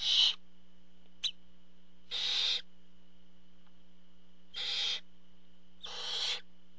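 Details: Barn owls at the nest as the father arrives with food: four raspy hissing screeches at irregular intervals plus one short click, with a quiet electrical hum in the background.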